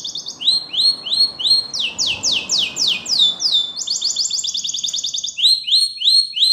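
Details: Spanish Timbrado canary training song: a continuous run of high, bright trills and rolling chirps, switching to a new rapid phrase every second or so, with no other sounds.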